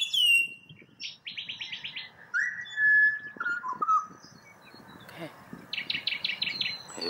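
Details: Wild pied butcherbird in Australia serenading a person who coaxes it to sing, giving clear, flute-like whistled notes that step down in pitch, mixed with fast buzzy chirps from other small birds and soft background rustle.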